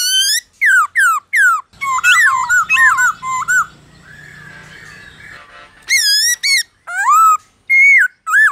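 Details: Black-throated laughingthrush in forest-style song used for training captive birds: clear downslurred whistles repeated in runs, a chattering warbled passage, a brief low buzzy stretch, then more loud looping whistles.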